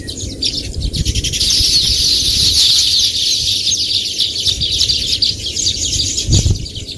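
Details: Baya weavers give loud, continuous high chattering from many overlapping chirps, with faint low rumbling and a brief thud near the end.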